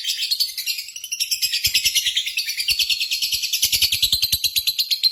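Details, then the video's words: Lovebird singing in a contest simulation, a lure to trigger singing: long, fast, harsh chattering trill of rapid, uneven pulses, shrill and high, continuing without a break. "PANCINGAN Burung Lovebird"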